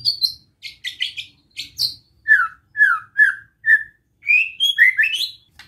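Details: White-rumped shama singing relaxed besetan song to provoke rival shamas: high chipping notes, then slow, rich whistles about every half second, and closing rising whistled phrases.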